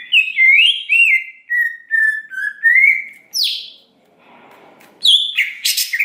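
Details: Greater green leafbird lure song aimed at fast emotional response: sweet rolling whistles, then a harsh buzzy note, a pause with faint rustling, and a scratchy burst.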